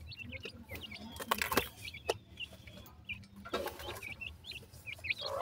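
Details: Young dakhni teetar, or black francolin, being playful: thin high chirps in small clusters, separated by loud broadband rustling and knocking bursts, with a faint low hum underneath.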